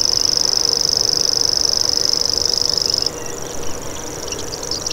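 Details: Common grasshopper warbler delivering a high, insect-like reeling trill of very rapid even pulses for about three seconds, then stopping abruptly; faint scattered bird notes and a low background hum follow.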